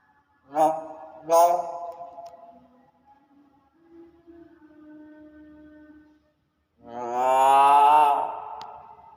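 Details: Common hill myna talking and coughing: two abrupt cough-like bursts, then quieter hum-like tones, and a long loud voice-like drawl with rich harmonics rising then falling.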